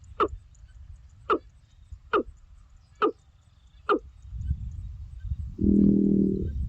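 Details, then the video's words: Watercock giving five abrupt, dull knocking notes roughly a second apart, followed by a rising low rumble and a steady droning hum at the end. "Mesmerizing Watercock Bird Calls"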